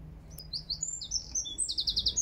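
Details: Eurasian wren singing in Regent's Park, London, in June 2024: a short burst of very high, thin notes in quick succession, ending in a fast, bright, evenly pulsed trill, over a faint low background rumble.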